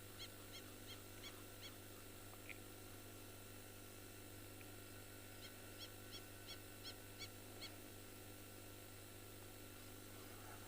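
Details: Wattled lapwings near water at sunset (about 6:10 pm, 3 September, cloudy sky), in a flood-prone area of a South African game reserve, give two bursts of sharp, high, ringing notes, about three a second, alongside Egyptian geese, over a steady low engine hum.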